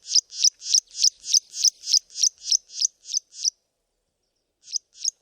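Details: Karoo prinia calling from a bush in the southern Karoo, South Africa: around twelve high, sharp piping notes in a rapid regular string, then silence and two more isolated notes.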